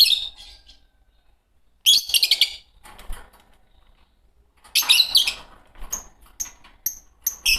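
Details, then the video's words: Singing from a green pair of Fischer's lovebirds: three loud bursts of rapid, harsh high chirps and squeaks with short silent pauses between, ending in thin repeated whistled notes. "Lovebird singing & chirping sounds -Green Fischer Pair"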